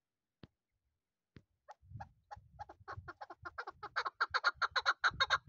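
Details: Chukar partridge, a young bird of this season kept for hunting, calling in a clucking series that starts with scattered notes and speeds up and grows louder into a rapid, steady chatter of harsh chuks, with some low rumbling beneath.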